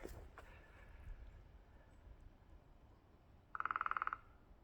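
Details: Woodpecker on wooded land on Cape Breton Island, Nova Scotia, Canada, where a whole family of woodpeckers lives: a quick rattling burst of about a dozen clipped, evenly spaced mid-pitched notes lasting just over half a second, against quiet outdoor background.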